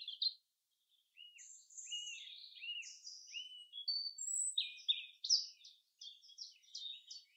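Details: Forest song of the common chaffinch: a string of arched, slurred notes, then quick high chips and rattling figures that grow busier and louder over seven seconds.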